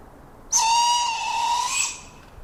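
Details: A juvenile Barred Owl fledgling, recorded in Maine, gives one harsh, hissing screech lasting just over a second, steady and raspy with a slight fade at the end; the call carries far through forest.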